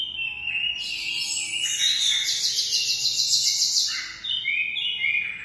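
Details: Munia (emprit) singing: a steady high stream of thin chirps and fast buzzy trills, rising in intensity midway, then fading into short whistled notes near the end.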